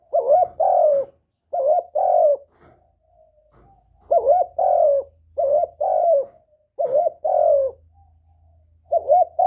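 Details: Spotted dove coos meant to excite newly kept birds: steady pairs of throaty rolling coos repeated about every two seconds, faint low hum in the background.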